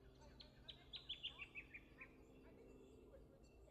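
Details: A Shining Bronze-Cuckoo at Bolin Bolin Billabong, Melbourne, Victoria, Australia, on 29 September 2021 gives a quick run of eight or nine thin, high whistled notes over about 1.5 seconds, falling slightly in pitch, against a low steady hum.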